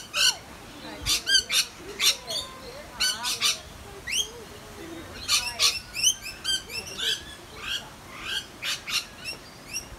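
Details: Australian rainbow lorikeets gathered for a noisy feeding session, a busy overlapping mix of sharp squawks, short sweeping chirps and soft warbling notes from several birds at once.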